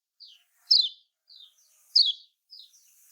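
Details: Lemon-bellied white-eye (kecial kuning) in the Lombok style, used as a lure to get reluctant birds singing: short high chirps, each sliding downward, alternating soft and loud, about two per second, with quiet gaps between.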